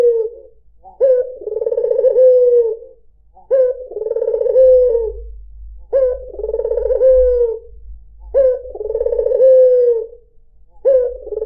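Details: White dove (puter putih) singing as a lure for other birds: long, mellow, rolling coos, each opening with a sharp note, repeated about every two and a half seconds, over a low hum.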